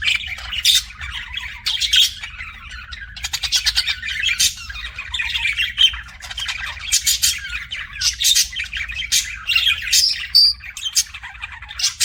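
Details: Budgerigar chatter from pet birds, made of bursts of rasping, buzzy squawks and twittering notes in uneven clusters every second or two, with one sharp high whistle near the end and a low hum beneath.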